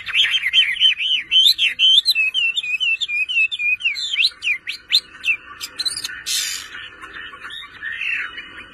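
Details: Chinese hwamei kept by a bird-keeping hobbyist, singing loudly: varied whistled phrases with rapid repeated up-and-down slurs, then a run of sharp, high, clipped notes and a few rising whistles near the end.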